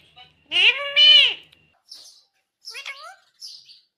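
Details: Indian ringneck parrot producing one drawn-out, voice-like talking phrase with strong harmonics, followed by short chirps and a brief falling syllable.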